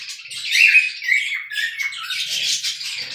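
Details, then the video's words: Charcoal cockatiels whistling for the first time, two whistle types together. Busy, chirping chatter with scratchy, buzzy phrases and short bright notes running on continuously, with no pauses. "Cocktail Parrots Start 2 Types Of Whistling At A Time"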